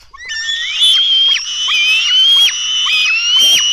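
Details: Feeding at a black stork nest in Latvia, dawn of 24 June 2016: loud, sustained, rising squeals from nestlings, about one each second, with sharp downward ends and rich harmonics.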